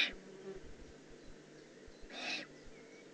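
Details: Young Eurasian eagle-owl, Eifel region of Germany, June 2016: a single breathy, rasping hiss near the end, with the tail of another at the start and soft low rumbling between.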